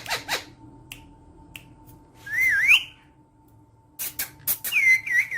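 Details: A caged Indian ringneck parakeet gives two bright, wavering whistled notes that slide up and down, between sharp clicks and rustles, over a steady mechanical hum.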